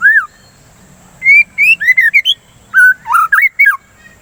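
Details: Song of a white-rumped shama, used to trigger singing and as therapy against breeding excitement: loud, varied whistled phrases with sweeping upslurs and downslurs, delivered in two rapid bursts separated by a short pause.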